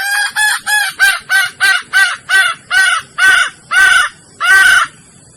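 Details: Lure recording of a Sumatran red junglefowl hen in heat: a rapid burst of short clucks that slows into longer, drawn-out nasal notes, about fourteen in all, spacing widening toward the end.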